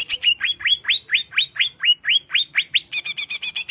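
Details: Greater green leafbird song, played as a relaxation track meant to excite other birds: a fast series of rising, slurred whistles about four per second, ending in a quicker burst of chattering, doubled high notes.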